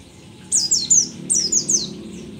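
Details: An old but still lively mountain white-eye, the rare dakun form endemic to Merapi, gives two quick runs of three high, thin notes. Each note slides steeply downward in a bright, tinkling phrase.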